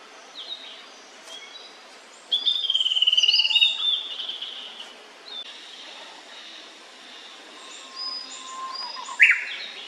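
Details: Song phrase from an immature Blue-and-white Flycatcher: a bright whistled note with a falling slide, then a rapid warbled flourish lasting about one and a half seconds. Afterwards come faint thin whistles, a soft low note, and a sharp rising squeak near the end.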